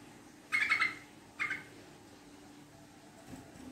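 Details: Yellow-vented bulbul lure chatter, rapid and prolonged in style: a short burst of quick buzzy pulses followed by a briefer second burst, then near silence with faint background hum.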